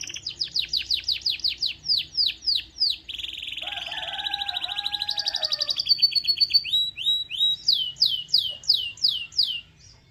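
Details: A canary sings to stimulate others of its kind: a string of quick descending chirps, a lower rippling trill with an undertone, then a fresh burst of sharp repeated downward sweeps.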